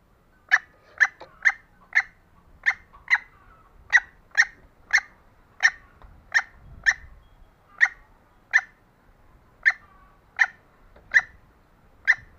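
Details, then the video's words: A green junglefowl hen calling actively, used to lure lazy males, gives sharp, clucking notes, about twenty in twelve seconds at an uneven pace of one to two per second, over a faint low rumble. "Ayam hutan hijau Betina Gacor Cocok Untuk pancing Pejantan yang malas"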